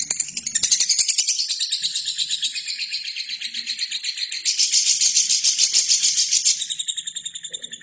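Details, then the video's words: Continuous lovebird song meant to train other birds: a fast, rattling, high chatter of about three and a half pulses a second, rising in loudness midway and trailing into clearer ringing trills at the end. "LOVERBIRD GACOR!!!"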